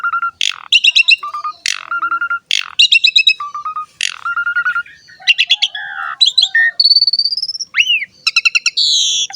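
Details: Lively jalak suren (Asian pied starling) training song: a repeated cycle of a steady low whistle, a harsh rasping burst and a fast stuttered chatter, closing with rising whistles and squeaky trills.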